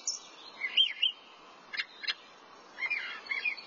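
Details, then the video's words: Thrasher singing: a run of short, varied phrases, first slurred whistled notes, then two sharp raspy bursts, then a jumbled chattering series near the end, with a quiet background. "Thrasher sings"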